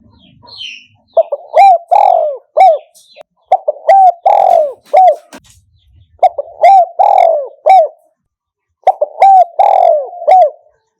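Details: A 2022 lure recording of a Spotted dove in the 'kham khu kham' and 'khu kom' styles: three long phrases of repeated, strongly harmonic coos, each mixing short notes with a drawn-out falling coo, separated by brief silences.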